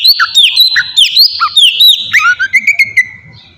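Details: Oriental magpie-robin lure song for drawing replies: clear sliding whistles in quick succession, ending with a run of short evenly spaced chirps.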